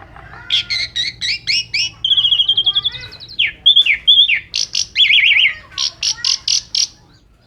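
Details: Asian pied starling pouring out a full 'isian' trigger song: rasping chatter, a fast trill of ticking notes, swooping squeals, a wavering warbled phrase and loud grating bursts, all delivered in quick succession.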